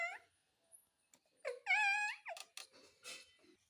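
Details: Pet parrot chattering a request for roti, a short opening note, then a sustained, level, voice-like syllable and a quick descending one, trailing into soft clicking sounds.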